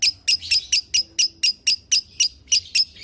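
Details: Lovebird voice for prompting another lovebird to sing: about a dozen harsh, high chirps repeated roughly twice a second at an even rhythm.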